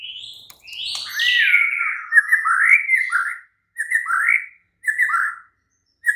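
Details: White-rumped shama song used at night as a lure to make a caged bird answer and sing. Rich whistled phrases slide and warble up and down with high sharp notes above, in bursts separated by brief silences.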